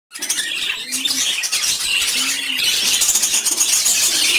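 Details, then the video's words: Lovebirds chirping together as a flock, a dense, continuous chatter of high, sharp chirps and squeaks that overlap without pause, with a few short low tones underneath. "Beautiful Colored Lovebirds Chirping Together"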